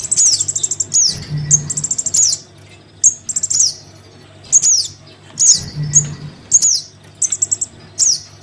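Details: Young Crimson sunbird calling for its parent, played to lure wild birds: high, sharp downslurred chirps and quick rattling trills in short bursts, with brief low hum surges.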